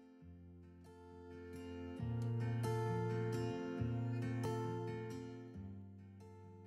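Gently strummed acoustic guitar chords play throughout, with no animal sounds.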